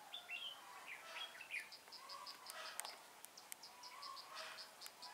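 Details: Caged decoy red-whiskered bulbul at a bird trap, January 2018: a burst of quick, bright warbled notes early on, then quieter, amid steady high-pitched pulsing insect ticks and soft rural noise.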